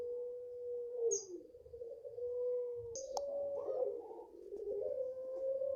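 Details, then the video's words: Five-month-old puter pelung, a Barbary dove raised in a home garden, giving its long call: a steady, drawn-out coo held level then dropping, repeated twice, with brief high chirps from another bird above it. "SUARAPANJANG PUTERPELUNG"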